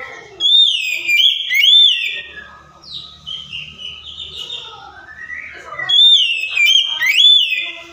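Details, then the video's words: Oriental magpie-robin song used to provoke a silent bird: loud arched whistles open and close the passage, with varied chirps, warbled notes and softer twittering between them, over a faint low hum. "KACER MACET, STRES LANGSUNG NYAUT DENGAR PANCINGAN KACER INI!"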